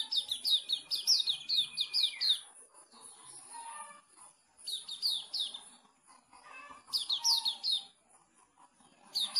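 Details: Kept sooty-headed bulbul singing: bursts of rapid, high downslurred chirps repeated in quick runs, one long level whistle that drops at its end, with pauses between phrases and faint lower notes behind.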